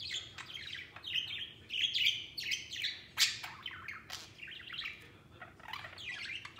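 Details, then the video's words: White pet budgie playing out of its cage with a companion budgerigar; continuous soft warbling chatter of quick rising and falling chirps, a steady babble with a few louder peaks. "Happy Budgies Playing Outside Cage"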